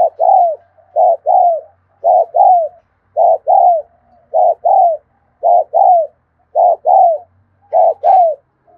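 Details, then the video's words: Afternoon recording of a spotted dove in 'thúc gù' style: eight regular pairs of mellow low coos, each a brief note followed by a longer downward-curving one, evenly paced near one pair per second. "tiếng cu thúc gù hay và liên tục"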